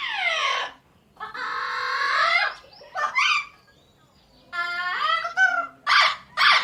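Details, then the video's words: A pet ringneck parakeet says "mitthu" in a high, scratchy, harmonic voice, a handful of short speech-like phrases broken by pauses, in a small indoor room. "funny parrot 🤣calling mitthu mitthu"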